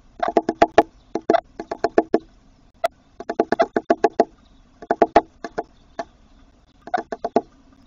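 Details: Eurasian wryneck occupying a tit nest box, heard close up: short bursts of four to six rapid nasal notes, each run separated by a brief pause, repeated several times.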